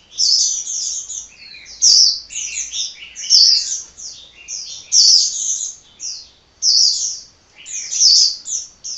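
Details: Hummingbird singing without rest, loud high-pitched twittered phrases about a second long repeated roughly every one and a half seconds, each a rapid jumble of sharp chirps and squeaky notes.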